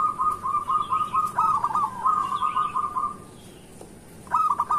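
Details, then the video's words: Zebra dove singing in the morning to lure other zebra doves into calling: continuous rolling trilled coos broken by hooked notes, a pause, then a new hooked phrase begins. "Perkutut lokal gacor pancingan untuk pagi hari"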